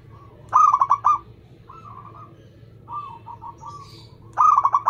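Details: Local zebra dove in full song, fast and tightly paced, suited to contest birds and used as a lure: two loud bursts of rapid, rolling cooing notes, separated by softer, quicker trilled coos.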